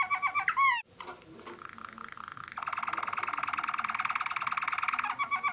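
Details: Waterslager (Malinois) canary, which imitates the northern cardinal in one tour: a few falling whistles, a sharp break, then a long steady rolling trill continuing to the end.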